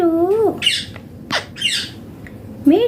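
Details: Indian green ringneck parrot talking indoors, a tonal voice-like phrase with a dipping wavering contour, then harsh broadband squawks and a short rising wavering call, as if mimicking "me too".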